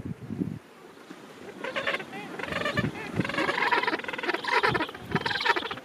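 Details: End-of-summer Gentoo penguin rookery holding thousands of birds: a long, loud, pulsed braying call of rapid, rhythmic throaty notes runs for several seconds, with other colony noise and wind underneath.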